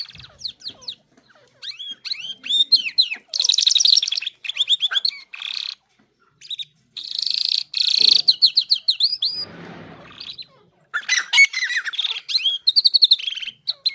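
Irani jal singing a fast, varied twittering song of high, sweet, slurred notes broken by harsher buzzy bursts, with a brief noisy rustle partway through.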